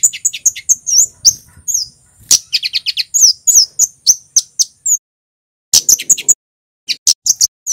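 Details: Male red kemade from Java, cit keres song: rapid high, thin chirps and sharp downslurred notes in dense bursts, with short pauses between phrases.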